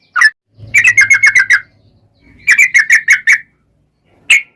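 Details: Yellow-vented bulbul lure song to prompt another bird to answer: a single whistled note, then two rapid bursts of about six bubbly, slightly harsh notes each, ending with one sharp note; low hum beneath the first burst.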